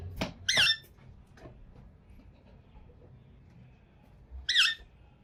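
An Indian ringneck parrot gives two harsh, shrill squawks about four seconds apart, with a few soft clicks in a quiet room.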